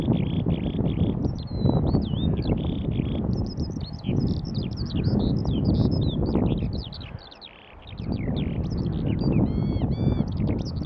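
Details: Skylark song recorded at Fen Drayton Lakes, June 2015, a fast tumbling outpouring of high chirps, slurred whistles and buzzy trills, with a brief lull near the middle and strong wind noise throughout.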